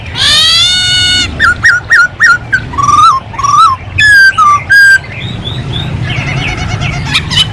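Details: Masked laughingthrush in full, active song opens with a long, harsh, nasal squeal, then gives loud whistled notes, some rising and some falling, in quick bursts, ending in softer scratchy chatter.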